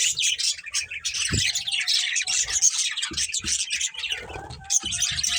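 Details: Breeding pair of budgerigars chattering nonstop in a dense, high, scratchy warble of rapid chirps and squeaks, with a few soft low thumps underneath.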